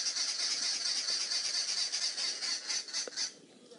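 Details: Arrow-marked babblers (Turdoides jardineii) mobbing a female boomslang in a tree, South Africa, January 2017: a loud, rasping alarm chorus of rapid grating notes running together and fading near the end, with other birds also alarm-calling.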